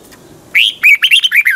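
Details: Morning song of a caged Red-whiskered bulbul in the twisting double-voice style used as a lure for training birds: one brisk phrase of about six clear, rolling, warbled notes, rising then falling, after a quiet start.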